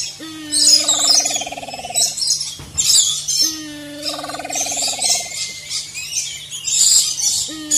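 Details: Maleo (Macrocephalon maleo) calling in the wild: two long, wavering calls of about two seconds each that slide down in pitch, over a steady high insect buzz and a faint low hum.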